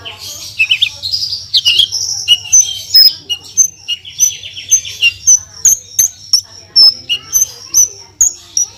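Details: Caged Horsfield's bush lark (branjangan) singing 'gacor full tembakan' for tutoring: varied twitters and a short buzzy trill give way to sharp thin whistled notes repeated roughly every half second.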